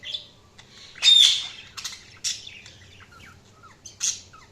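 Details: Budgerigar chirping in a quiet setting, with one loud harsh squawk near the start, then thin tweets, brief rasps and soft falling whistled notes.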